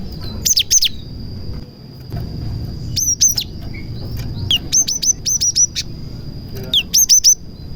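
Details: Song of a cinereous tit (gelatik batu) mixed with prinia imitations, played to draw other tits into song; clusters of three to five piercing high chips separated by short pauses, with one downslurred note and a constant faint high tone.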